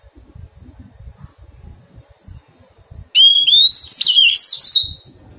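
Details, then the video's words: Oriental magpie-robin, a wild-caught adult bird undergoing taming, gives one loud, clear whistled phrase that rises and then breaks into quick warbled twists, lasting under two seconds after a quiet start with faint low rumbling. "Thuần hóa chòe than bổi"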